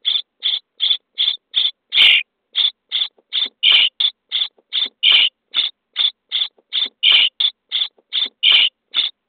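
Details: Nestling Common starlings, 23 days old, begging in a nest box while fed: about two dozen clipped, harsh screechy notes in quick succession, some louder and fuller than others.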